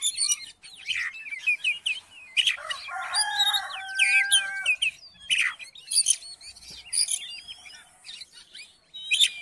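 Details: Oriental magpie-robin song used to provoke a lazy magpie-robin into singing, a busy mix of high whistles, rapid chips and harsh buzzy bursts, with a layered sustained tone in the early part.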